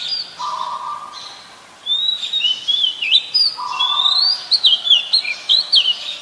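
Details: Wild Oriental magpie-robin singing: bright whistled phrases that twist up and down, delivered in quick bursts after a short pause, over a steady lower humming tone.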